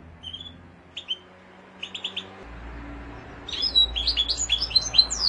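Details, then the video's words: Mosaic canary singing: a few soft, separated high chirps at first, then a louder, rapid run of sharp, bright, high-pitched twittering notes with quick down-slurs near the end, over a faint low hum. "قناری موزائیکی"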